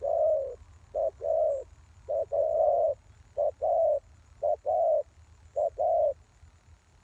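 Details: Decoy spotted dove used to draw in wild doves, repeating soft low two-part coos, a short clipped note then a fuller longer one, about once a second with slight irregularity.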